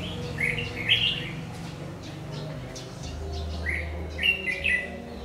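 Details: Decoy-trapping session on 22 August 2019 with a Red-whiskered bulbul of the 'má lỡ' type, known for a very harsh voice. Lively warbled phrases open and close the recording, with a quieter gap between and a low steady hum throughout.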